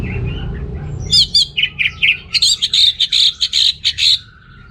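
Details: Orange-headed thrush in song, used to stimulate males lacking breeding drive: a run of loud, rapid whistled notes around the upper range, repeated quickly and unevenly, after a low rumbling background.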